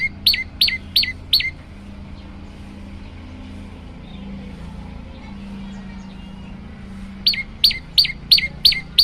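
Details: Olive-backed tailorbird, recorded as training material with song variations: four loud, sharp, high notes, a long gap filled with low traffic-like hum, then six more rapid piercing notes repeated about three per second.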